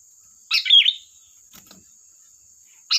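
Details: Sooty-headed bulbul lure song: one quick burst of chirps and a whistled slur, followed by a pause with faint rustling and the start of another phrase at the end, over a thin steady high tone.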